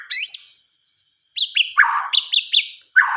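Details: At night, a white-rumped shama gives a high buzzy note, a pause, then a rhythmic series of short, sharp chirps repeated about every quarter second.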